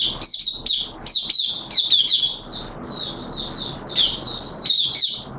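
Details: Caged oriental white-eye (mata puteh) in hobby keeping, giving its opening song (buka sing) in wet weather on 6 September 2022: high, rapid twittering warble of slurred notes, in bursts with short gaps.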